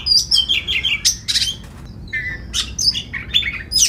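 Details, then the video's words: Oriental magpie-robin in full song, used as a lure to get other magpie-robins singing and fanning their tails. It delivers high, varied chirps, trills and short whistles in rapid bursts with brief gaps. "Pancingan Suara Kacer Gacor Agar Bongkar Isian! Buat Kacer Lain Ikut Ngobra Buka Ekor"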